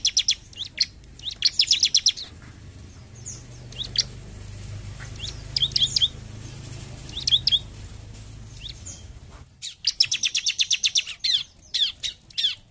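A bar-winged prinia sings loud, high, sharp chirps in quick bursts, ending in a rapid run of about a dozen notes, over a low background rumble.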